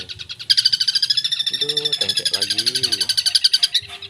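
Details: Long-tailed shrike (cendet) singing actively in a song full of fills: a dense, rapid, buzzy chatter of high notes about ten per second, with some lower tonal sounds mixed in midway.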